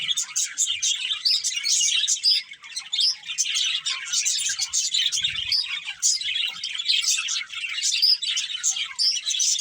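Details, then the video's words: Breeding pair of budgies giving steady, busy chirping, a chatter of rapid high twittering notes and short squeaky tweets running without a break. "Cute Budgies Chirping Sounds | Beautiful Budgies Breeding Pair"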